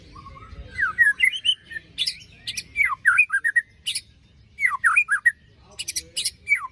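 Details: White-rumped shama just after its moult, used as a lure recording for a bird that has stopped singing: loud, varied song of sweeping whistles and down-slurred notes broken by bursts of harsh, shrill rasping, delivered in quick phrases.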